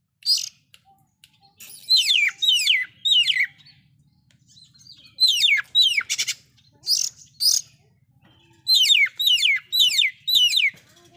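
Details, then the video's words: Oriental magpie-robin singing loudly, a song with fill-in phrases said to stir up other magpie-robins; bursts of sharp, steeply descending whistled sweeps repeated in quick groups, with short pauses between phrases. "KACER SUARA KERAS ISIAN BIKIN BURUNG KACER LAIN'JADI NAIK EMOSINYA"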